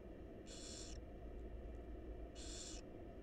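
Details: Two long, breathy screeches from barn owl chicks begging as the mother feeds them inside a wild nest box, spaced about two seconds apart against a low electrical hum.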